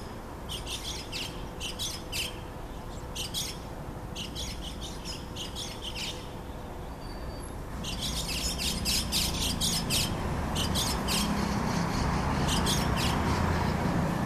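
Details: White-cheeked starlings in Yokohama's Minato Mirai district, 15 April 2014: clusters of scratchy, rasping chirps repeated in bursts with pauses, over constant city traffic noise that grows louder later.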